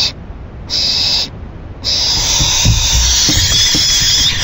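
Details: Owl at 4:04 AM, June 7, 2012: two short rasping hiss bursts, then one long unbroken hissing screech lasting over two seconds, with faint low knocks and rustles beneath.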